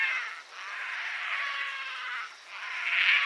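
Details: Painted stork at the nest, where it gives weak moans: drawn-out nasal, harmonic moaning in long unbroken stretches with brief pauses, ending in a louder, brighter burst.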